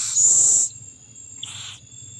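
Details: Owl feeding its young: one loud, harsh breathy hiss lasting about half a second, then a softer, shorter hiss, over a steady high-pitched insect whine and faint low hum.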